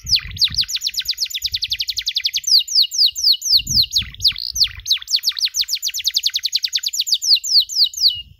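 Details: Canary tutor recording for young canaries learning the "cuit cuit" chirp. Rapid, high, downward-swept chirps repeat about four times a second in long unbroken runs, with a few lower dipping notes mixed in. Occasional soft low thumps sound in the background.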